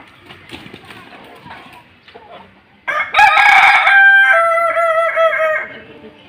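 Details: Kokok Balenggek (kukuak balenggek) rooster crowing during sunning: faint clucking and background chatter, then a sudden loud crow lasting nearly three seconds, broken into several stepped segments that drop in pitch toward the end.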